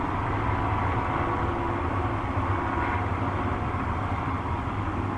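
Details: A steady low engine-like rumble and broad hiss run throughout, with no animal call heard.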